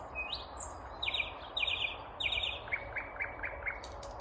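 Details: Unseen vagrant Common Nightingale in full song near Uppsala, Sweden, on the morning of May 19, 2021: a rising whistle, three loud buzzy rattling phrases, then four evenly spaced short notes.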